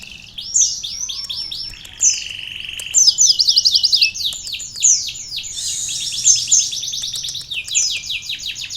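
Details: A sunbird trained with canary song pours out a near-continuous stream of high, buzzy trills and rolling chirp series, with brief steady whistled tones between rapid runs.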